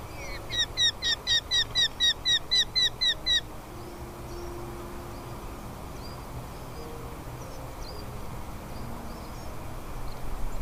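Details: Falcon young begging in the nest as food arrives. A quick burst of about eight sharp, squeaky notes fades into steady background hiss and faint distant chirps.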